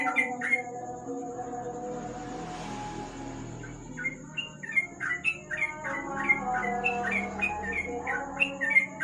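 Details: Sooty-headed bulbul in ropel song at night under a lamp: two brief chirps, a short hiss-like rush, then a resumed fast string of bubbly whistled notes, over a steady low hum and thin high whine.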